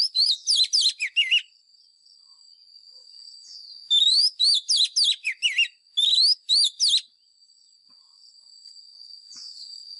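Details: Fighting song of a white-rumped shama lure bird, meant for voice training of caged birds: three bursts of rapid, loud whistled notes with rising and falling slurs, separated by pauses filled with a faint continuous high tone.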